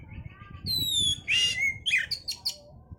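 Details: Breeding-stimulation song of an oriental magpie-robin: a long, clear falling whistle, a loud harsh rasp ending in a slurred whistle, then a quick run of sharp chips, over low rumbling noise.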